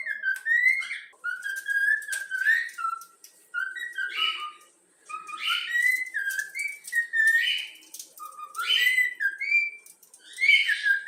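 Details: Yellow-cheek cockatiel taught to whistle the Flamengo anthem repeats melodic phrases every few seconds. Each phrase ends in a rising whistle, and buzzy overtones give the notes a harsher edge.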